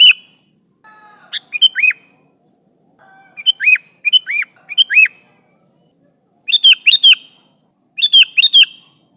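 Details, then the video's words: Lively Sooty-headed bulbul calling its companions in a lure recording: varied bright chirps and slurred notes, some doubled or tripled in quick bursts, separated by short pauses, against near silence. "Suara Burung Kutilang Gacor Memanggil Temannya"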